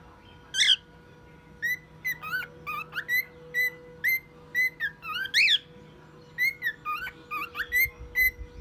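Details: A one-year-old pet male cockatiel sings and mimics sounds including a car alarm: scattered whistled notes, several bending up or down, with a few louder squeaky bursts and pauses between phrases, over a mechanical hum.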